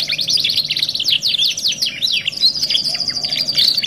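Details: Canary singing from a 2-in-1 masteran tutoring recording: rapid rattling trills and sweeping high notes giving way to a long, even trilled roll, with a soft constant low hum behind.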